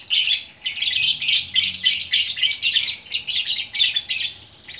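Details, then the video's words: Gacor orkestra singing by a single fighter lovebird in Bukittinggi, West Sumatra: an almost unbroken stream of high, grating twitters pulsing several times a second. "Burung Lovebird Gacor Orkestra"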